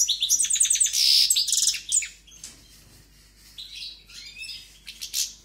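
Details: A strongly singing European goldfinch gives a dense burst of liquid twitters and a buzzy trill, then pauses for about a second before resuming with scattered chirping notes.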